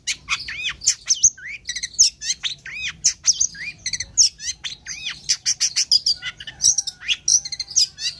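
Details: Cendet or toed, the long-tailed shrike, pours out a continuous, varied song of high swooping whistles, clicks and short trills with hardly a pause.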